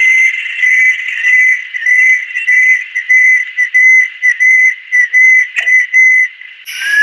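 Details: Banded kingfisher (Lacedo pulchella), adult female, of Southeast Asian lowland rainforest, singing a long run of clear, high whistles, about one and a half a second, steady in pitch, ending with a brief scrape.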